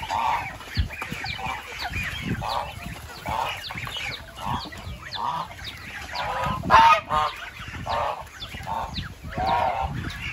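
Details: Goose honks, short and repeated, at modest loudness among background noise and thin chirps, with one louder burst near the middle.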